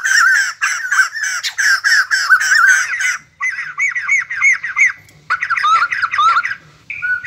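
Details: A White-crested laughingthrush, deafeningly loud in the early morning, gives loud, harsh, cackling bursts of rapid chattering notes, three bouts over seven seconds, ending in a brief clearer whistle.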